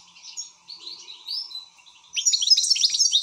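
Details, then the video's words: An excited European goldfinch breaks into loud, rapid twittering after two seconds of soft, scattered chirps, with bright tinkling notes and short buzzy trills packed closely together. A faint steady hum runs underneath. "حسون هائج"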